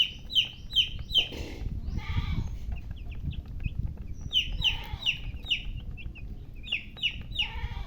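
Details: Chicken chicks chirping in quick runs of shrill, downward-sliding peeps, about two or three per second, broken by a brief rustling noise and low background rumble before the peeping resumes.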